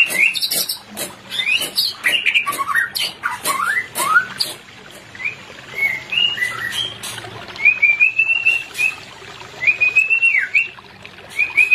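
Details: White-rumped shama pair, used to stimulate birds not in breeding condition: rapid sharp clicks and chatter with rising whistles, then a series of clear, slightly wavering whistled phrases repeated at short intervals.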